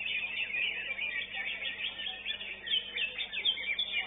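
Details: Greater green leafbird singing at a songbird contest, where it placed third: a dense, unbroken run of high, rapid chattering and sharp whistled notes, with other songbirds seemingly singing alongside.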